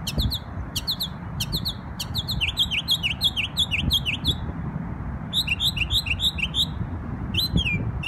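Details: A New York bird on Memorial Day pours out lively, varied phrases of high chirps and dipping slurred notes, several per second in fast bursts separated by short pauses, with a low steady hum behind.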